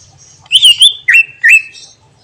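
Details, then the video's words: Greater green leafbird (cucak ijo) delivering its filled song, said to provoke other birds: a few loud, clear whistled notes sliding and wavering at mid-high pitch, separated by short gaps, over a quiet background. "Cucak Ijo Bongkar Isian Bikin Emosi Burung Lain"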